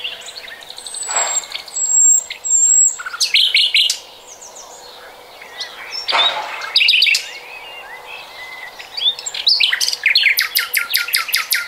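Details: Song of a common nightingale, recorded in 2020, full of varied phrases: high thin whistles, clusters of sharp clicking notes and fast rattling trills, separated by short pauses, with quieter birds in the background.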